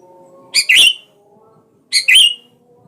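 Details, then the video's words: Sooty-headed bulbul in lively form, calling out to a rival to provoke it into singing: two harsh, buzzy double-noted chirps about 1.4 seconds apart over a quiet background. "Suara burung kutilang gacor memanggil lawan pancingan kutilang biar bunyi"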